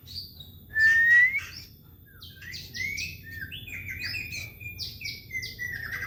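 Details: White-rumped shama song, used as a lure at home: one loud rising whistle, then a long, varied stream of softer sweeping whistled notes over faint low noise.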